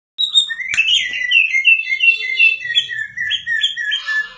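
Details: Greater green leafbird singing in full, lively 'gacor' style: a dense, continuous stream of warbled, slurred whistles and chirps, with a sharp click near the start and a faint low hum underneath.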